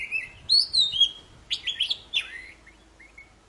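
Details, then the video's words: Singing Oriental magpie-robin, called poci, used to get silent birds singing again: long, clear rising whistles, then buzzy, scratchy phrases and a few soft notes, closing with a sharp burst. "Suara burung poci super gacor"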